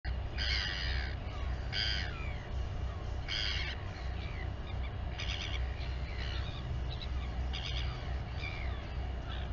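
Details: Royal albatross at its colony on Taiaroa Head near Dunedin, New Zealand, as the mother feeds her chick. Bright harmonic calls in short bursts, about six across nine seconds, over a steady low wind rumble.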